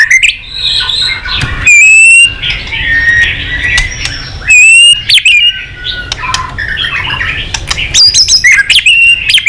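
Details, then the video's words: White-rumped shama singing excitedly in many voices, mixing loud piercing whistles with scratchy warbled phrases and rapid chips. "Chòe Lửa tạch đập đuôi kích lửa cực sung. kích chòe Lửa lên lửa sổ giọng.chòe Lửa hót nhiều giọng"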